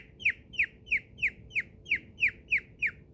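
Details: Pet male cockatiel at play inside his cave: evenly spaced, piercing descending chirp notes repeated roughly three times a second, loud and regular over a quiet indoor background.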